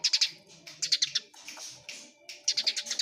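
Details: Eurasian tree sparrow fighting calls: short clusters of three or four sharp chirps, followed by a noisier scratchy stretch and a final quick burst.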